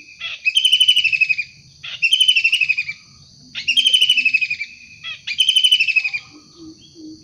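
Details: Energetic wild kingfisher giving four grating, pulsed rattling bursts, each lasting about a second and spaced one and a half seconds apart, with short sharp notes in between over quiet low rumble.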